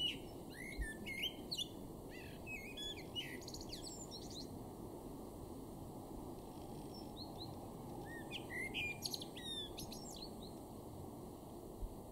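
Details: A male common blackbird in a garden in Weener, East Frisia, northwest Germany, in May 2023, sings two short phrases several seconds apart, low warbled notes breaking into high squeaky twitters, over a steady low rumble.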